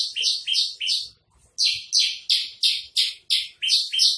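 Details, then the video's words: Javan bush lark delivering trotol song: quick buzzy high notes, three, then a brief pause and about eight more strongly falling notes in a brisk rhythm. "masteran branjangan trotol"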